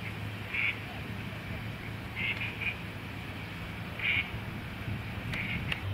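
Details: Eurasian coots, two territorial pairs dividing a town lake in Tikhvin on 16 May 2023 and keeping others away from future nest areas, give short, sharp, explosive calls, single or paired, every second or two, over low wind or distant traffic rumble.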